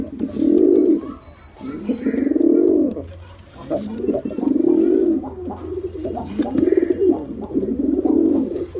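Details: Five or six evenly spaced bouts of rich, low pigeon cooing, each rising and falling, with a faint steady hum underneath.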